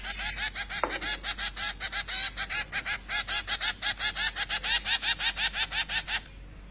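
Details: Hand-fed zebra finch chicks give rapid, repeated high buzzy begging calls, several each second, while being fed by hand.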